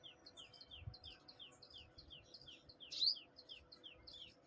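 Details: A sunbird in the morning gives rapid, high, thin descending chirps, several a second, with a brighter sharp note near the end over a faint low rumble.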